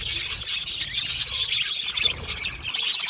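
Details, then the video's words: Budgerigars chirping, quick bursts of shrill, buzzy chatter and thin squeaks in rapid succession, several birds overlapping. "Budgie singing and chirping sounds | Australian Budgie sounds"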